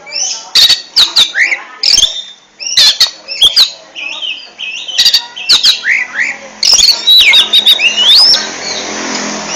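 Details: Oriental magpie-robin (kacer) singing in the ngentrok style: bursts of loud, sharp clicks mixed with rapid whistled slurs and rising sweeps, in dense phrases that fill most of the stretch, with brief quieter gaps between.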